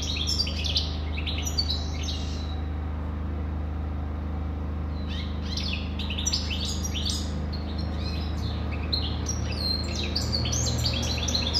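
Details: European goldfinch delivering long, fluent runs of high jingling twitters and trills, briefly pausing before a dense second stretch. A low steady hum runs beneath.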